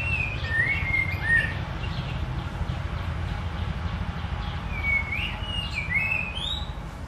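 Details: Singing white-rumped shama gives two bursts of quick whistled notes, slurred up and down, separated by a pause, with faint high chirps and a steady low rumble behind.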